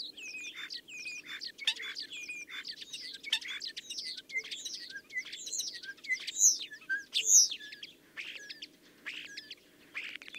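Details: Common Starling in a long, dense stream of song: mixed whistles, clicks, wheezy slurs and rattles tumbling rapidly, growing louder toward the middle, with a soft low hum behind.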